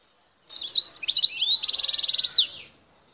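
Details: Algerian European goldfinch, wild, from Bouthelja in Algeria's El Tarf sector: a quick phrase of liquid, twisting chirps leads straight into a fast, even buzzy trill lasting nearly a second, then the song stops.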